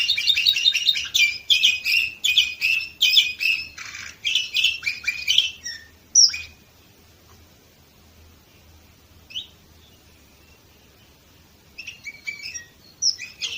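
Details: Canary singing in Varna, Bulgaria, 2018: a dense run of rapid buzzy rolls and trills for six seconds, then a pause with scattered high calls and a short closing burst of notes.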